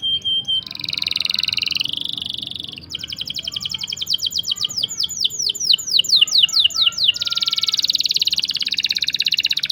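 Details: Canary tutor song for birds that have stopped singing or juveniles, long rolling style: a steady high buzz, a quick rising roll, a sequence of sharp descending strokes, then another sustained buzzy trill.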